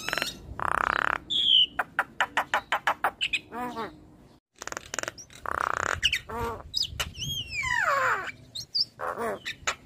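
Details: Black-winged starling, stressed and reluctant before bursting into nodding gacor song: loud rasping squawks, a rapid string of sharp clicks, a brief pause, then scratchy chatter and a cascade of steeply falling whistled notes.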